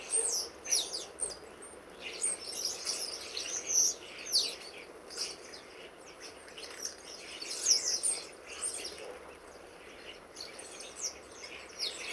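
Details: Common starlings from a garden flock of over 60 birds visiting in October, autumn, with much squabbling; scattered high squeaks, clicks and wheezy chirps from several birds at once over steady background noise.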